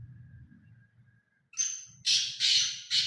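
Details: Black francolin starting a call with a thin drawn-out note, then three loud, harsh grating bursts in steady rhythm, after a faint low hum and brief quiet.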